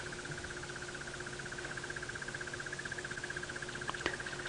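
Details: Crested barbet singing on an afternoon safari drive, 9 June 2017, near relaxing elephants: a long, steady, rapid trill like a purring alarm clock, held without a break; low engine hum underneath, brief knock near the end.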